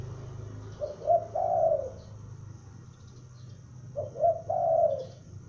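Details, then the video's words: Juvenile spotted dove, a lure bird, calling: two mellow phrases about three seconds apart, each a short rising note followed by a longer, slightly falling coo, in a quiet setting. "Tekukur Pikat gacor anakan Berbunyi Memanggil"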